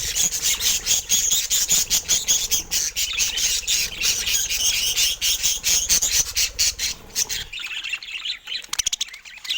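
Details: Rare-mutation pet budgerigars; continuous rapid scratchy chatter of clicks and chirps pulsing about twice per second, then dropping away near the end to a few sharp ticks.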